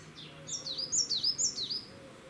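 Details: Coal tit song recorded in Cambridge, UK, 2 June 2020: a short, bright run of four quick, high, swooping notes repeated evenly, over a faint low hum.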